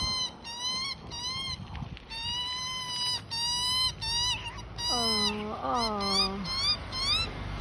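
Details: Begging Australian magpie chick fed by its mother: a run of nasal, harmonic squeals repeated in quick bursts, then a lower, throaty wavering call near the end, over constant background hiss.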